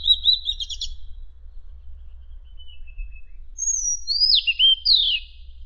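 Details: Madagascar magpie-robin song used to train contest birds: a fast buzzy trill, a long quiet gap with faint notes, then high whistles swooping down.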